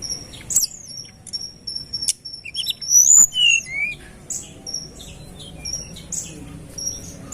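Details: A mountain tledekan, used as a lure, gives long thin level whistles and downward-slurred notes, a loud cluster near the middle, fading to soft high chirps.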